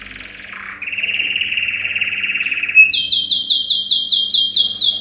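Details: Yellow canary, Serinus canaria, a male giving a training song for canaries: a soft rattle, then a long even buzzy trill, followed by a run of loud, high, upward-slurred notes repeated about twice per second, with a low hum in the background.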